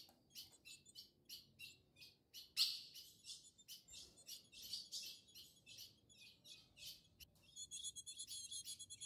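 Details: Ultramarine grosbeak pair mating in the wild forest, the male agitated; runs of sharp, scratchy chirps in irregular bursts, with a thin high tonal hum building toward the end.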